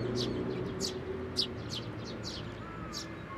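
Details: Sparrows at a Tenmangu shrine on 18 May 2024, coming onto a hand for food and feeding nestlings: short, high chirps repeated roughly every half second over a steady low hum.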